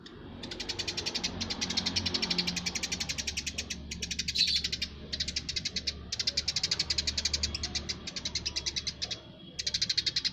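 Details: Lively Eurasian tree sparrow delivering long runs of fast, high, clipped chirps, nearly continuous with brief breaks, over a steady low background rumble.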